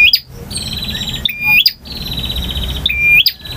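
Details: A male bar-winged prinia delivers long variation song: a sharp flicked note followed by a drawn-out buzzy trill, repeated three times.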